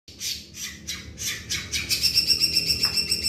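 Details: Long-tailed shrike singing actively outdoors: a quick series of scratchy high chirps, about four per second, then a thin, steady, very high whistled note held for over a second over a faint low rumble.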